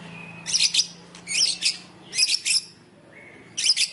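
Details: White-rumped shama singing in a style imitating fighting sparrows: four short bursts of harsh, dense, high chirping chatter, each about half a second long and separated by brief pauses, over a faint steady low hum.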